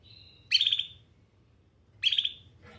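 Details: Canary giving a soft high note followed by two loud, harsh, pulsed chirp bursts about one and a half seconds apart.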